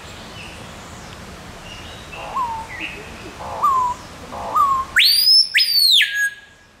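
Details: Screaming piha in a zoo in Arnhem, Netherlands, calling loudly at close range after landing nearby: a few short, softer whistles that drop in pitch, then two very loud whistles sweeping sharply upward and ending in a held, ringing note.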